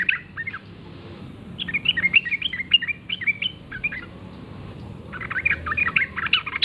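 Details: Wild sooty-headed bulbul, morning, gacor ngalas forest-style singing: short chirps, then a long string of varied, jumpy notes, a brief lull, and another lively chattering phrase.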